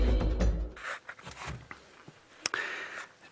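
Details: Music and a few sharp knocks and scraping sounds indoors, with no animal calls.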